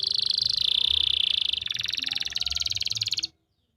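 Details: Canary singing a master recording from Pati, Central Java, meant to spark song in silent or juvenile canaries: a dense rattling roll that drops a step partway, turns coarser and pulsed, then stops cleanly.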